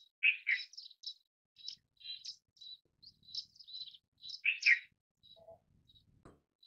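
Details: Indian silverbill in lively twittering: a buzzy double note, then a run of high jingling chirps and trills, another strong doubled note near the end, and a faint click.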